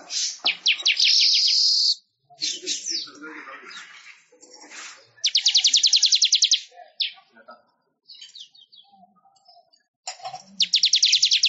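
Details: Manyar weaver chatter made for songbird-training masters: three bursts of rapid high pulsed trilling, each one to two seconds long, separated by gaps holding softer, lower, rougher sounds.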